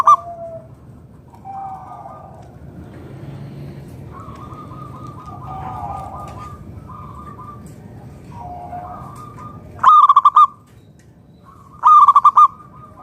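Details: Local zebra doves (perkutut lokal) singing as a lure for other doves: several soft, distant cooing phrases and low coos, then two loud, close bursts of rapid clipped notes near the end.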